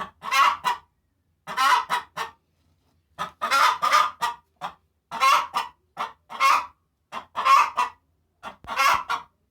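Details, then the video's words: Domestic hen calling after laying eggs, described as joy at laying: rasping, broad clucks in steady pairs and triplets, a burst roughly every second for nine seconds, loud and close, with no other clear sounds. "sound of hen After laying eggs دجاجة ابورقيبة تقاقي بعد وضع البيض"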